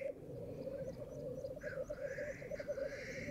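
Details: Black grouse at World's End in very thick fog: a continuous low, rolling bubbling coo, joined midway by a long hissing, rushing sneeze-like call, with faint high ticking notes above.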